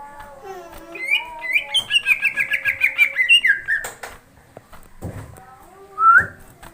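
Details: Greater green leafbird at night, excited and in full voice: a few low whistles lead into a fast run of bright repeated whistled notes, then a falling phrase, brief quiet with low thumps, and a single loud upslurred whistle.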